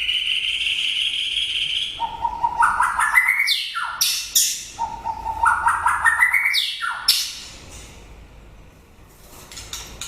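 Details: White-rumped shama at the end of the breeding season: a long sustained whistle, then two phrases of stepped, rising notes ending in sharp, squawky downslurred calls, followed by quiet.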